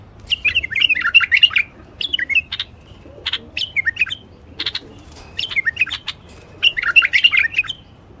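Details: Common bulbul male song meant to prompt quiet wild bulbuls into singing and breeding. Fluty, rolling whistled phrases come in bursts, separated by sharp clipped notes, with a soft rumble of background noise underneath.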